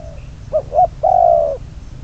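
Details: One cooing phrase from a decoy spotted dove used for trapping, bird number 22: two short, soft notes rising into a long, steady, hollow coo lasting about half a second.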